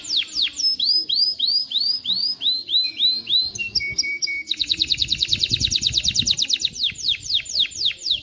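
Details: Canary song to teach young birds and stimulate females to mate: rising whistled slurs repeated in series, short flat piping notes, then a fast rattling trill and sweeping chips.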